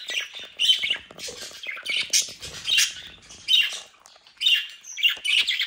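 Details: Young home-bred budgerigars, lively and mischievous, in South Holland, Netherlands: continuous scratchy, high warbling chatter with squawky notes and clicks, several birds calling together indoors.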